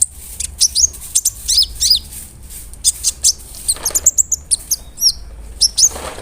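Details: Large, actively singing brown-throated sunbird played as a lure against other sunbirds, mixing sharp high chirps with curling whistled slurs in irregular bursts.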